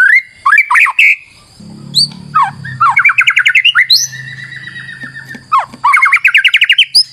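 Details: White-rumped shama lure song mixing sharp upswept whistles with fast rhythmic series of rising notes and a long level whistle, varied and loud.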